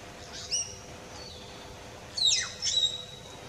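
Common hill myna giving a few loud, high whistles, including sharp descending swoops and piercing flat notes, with pauses between.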